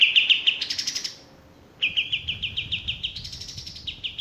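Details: A male olive-winged bulbul (Pycnonotus plumosus) sings two bursts of quick, bright chattering notes, about three per second, rising slightly in pitch and separated by a brief pause.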